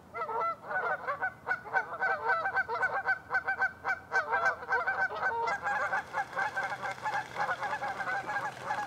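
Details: Flock of Canada geese calling on Lacamas Lake, Washington, USA, one February morning in 2012; overlapping nasal honks pour out rapidly and continuously, several birds at once, with a low steady hum beneath the later part.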